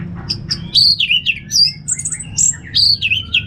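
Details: Orange-headed thrush, locally Anis Merah, giving a continuous ngeplong song of bright, high whistled phrases that sweep up and down, packed closely together with almost no pauses, against a faint low hum.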